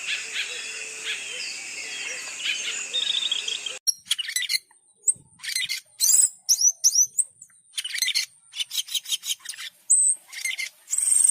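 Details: Cockatiel in an aviary, recorded 6 May 2023: faint, busy background chirping for a few seconds, then loud, sharp, close calls burst out in quick irregular series, several with brief upward sweeps.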